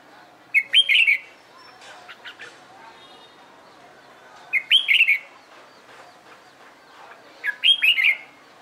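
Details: Red-whiskered bulbul practising contest singing, giving three short warbled phrases of rising-falling whistles with sharp high clicks, spaced about three to four seconds apart, faint chatter between.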